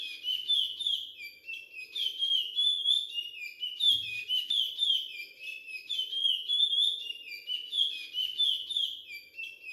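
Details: Young male Curió in brown plumage, bred in captivity in Brazil, sings the Timbira Virado Clássico dialect of Maranhão: bright, pure whistles that rise and fall in rapid, highly repetitive phrases with almost no pause.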